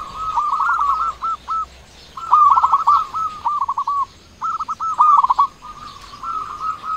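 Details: Loud local zebra dove, used to draw sluggish doves into calling and raise their mood. Delivers long rolling bursts of bubbly, stuttering coos almost continuously, with short gaps between phrases.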